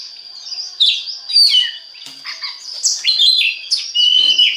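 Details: Oriental magpie-robin lure song for encouraging other birds to sing: varied whistled phrases, downward slurs and sharp chips delivered quickly, with a constant high tone behind.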